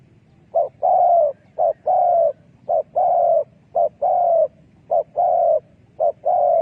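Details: Spotted dove decoy call used for trapping doves: a repeated low cooing phrase, a short clipped coo followed by a longer, steady coo, about six phrases roughly one second apart, soft rural background noise.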